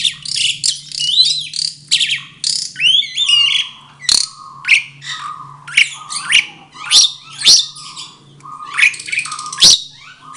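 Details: Mated pair of Asian pied starlings in a breeding cage, singing in answer to each other: harsh chattering and squawky whistled phrases mixed with sharp clicks, in bursts roughly every two seconds over a low steady hum.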